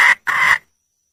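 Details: Wild junglefowl hen calling to a male: a brief sharp squawk then a longer strident, raspy note, bright and loud.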